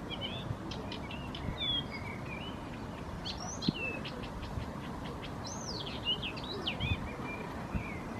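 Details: Hidden bird in Helsinki, Finland, singing a lively run of whistled phrases mixing sharp high chirps, looping slurred notes and a drawn-out descending whistle near the end, with constant low rumble underneath.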